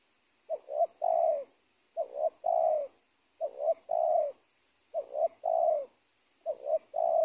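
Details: Wild spotted dove, the dominant bird of a former cornfield at the edge of a teak plantation, later caught: a three-part cooing phrase, two short rising notes then a long falling coo, repeated five times about every 1.5 seconds.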